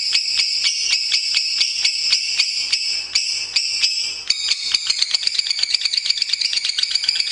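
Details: Lovebird song used as a master recording for training songbirds, best played in the morning or evening: loud, dense chattering of rapid, sharp, high notes repeated in a fast rattling series, quickening after the midpoint.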